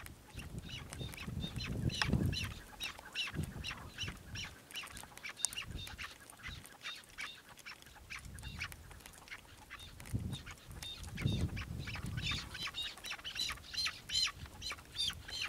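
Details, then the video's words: Chukar partridge calling in a fast, uneven run of short harsh notes, many overlapping as if several birds call together, over steady low rumbling background noise with louder low bursts. "Partridge Keklik Kew الحجل 鹧鸪 Rebhuhn куропатка Perdiz Chukar"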